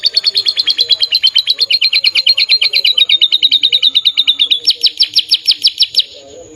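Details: Canary singing energetically: a rapid trill of bright repeated notes, about three per second-fraction, sliding gently downward, then switching to a higher, sharper run of repeated notes near the end, with faint low background sounds.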